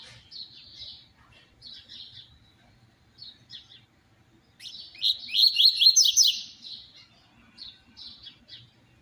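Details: Double-collared seedeater singing the "tui tui zero zero" song style, in excited, lively form, played to stimulate and train other seedeaters: scattered high buzzy chips, then a loud rapid trilled burst of repeated high notes lasting about a second, then more soft chips.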